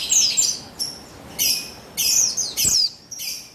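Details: Female buxtoni Javan white-eye, recorded 3/8/21, whose calls are used to stimulate males to sing: short bursts of very high, thin, down-slurred twitters, about five separate phrases in quick succession.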